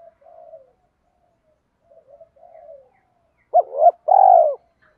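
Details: Spotted dove with a 'thổ pha' voice, calling and provoking fights: soft low murmuring coos, then a louder phrase near the end with two quick hooked notes and a long purring coo.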